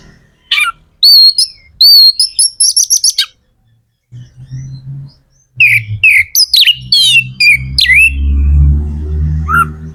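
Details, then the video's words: Song of a kept magpie-robin (kacer) meant to spur other birds to sing: a quick series of repeated rising whistled notes, a pause, then varied loud whistles and chattering notes over a growing low hum. "Suara kacer gacor"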